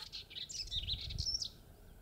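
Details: Melodious warbler singing on 30 May 2022 at 11:28 in the Mayenne countryside, France, filmed handheld at full zoom: a quick jumble of high chirped and twittered notes in a fast run, with low rumbling background noise.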